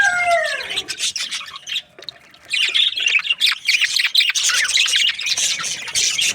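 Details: A few downward-sliding whistled notes open, then a short lull before budgies burst into fast, squawky chirps and warbles, roughly four notes a second, continuing in a lively, uneven chorus.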